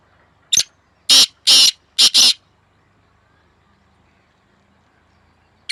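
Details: Black francolin in a hard-fought calling duel between two birds, 2 May 2024: a short clipped note followed by two long grating notes and a rapid harsh double, with the start of another phrase at the end; background quiet.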